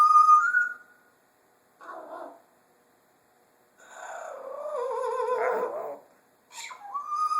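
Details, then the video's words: A pet parrot in a rare talkative mood, opening with a clear whistled note, then a short gruff utterance, then a long wavering, speech-like warble, finishing with another rising whistle in a quiet room. "Our Parrot At Work. "Hello Baby""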